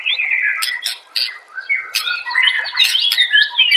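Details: White-rumped shama song used to train caged birds: a loud, varied mix of whistled phrases, harsh clicks and chattering notes, delivered almost continuously.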